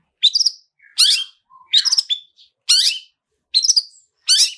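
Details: Long-tailed shrike "toet toet" lure song with rich fill-ins, to set other shrikes singing: six loud, sharp, downslurred chirps spaced almost a second apart, with faint soft notes between them.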